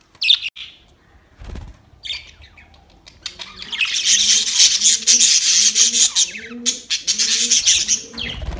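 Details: Budgerigars in a fight, October 25, 2023: a few sharp chirps, then a long, loud, harsh continuous chatter with rapid pulses, over low doves cooing in a repeated pattern.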